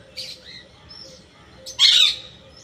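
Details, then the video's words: Parrot with a few soft chirps followed by one loud, rough, broadband squawk near the end, over a faint constant hum. "Raw parrot"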